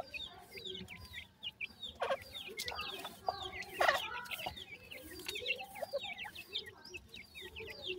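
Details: At feeding time, a grey francolin hen with five chicks; constant shrill, quick peeps and chirps stack up in a busy chorus, broken by a few sharp knocks and rustles.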